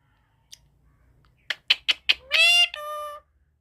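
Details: Pet parrot speaking its own name when asked what its name is: a few soft clicks, then two short harmonic, voice-like syllables, the second flatter and steadier, in a quiet room.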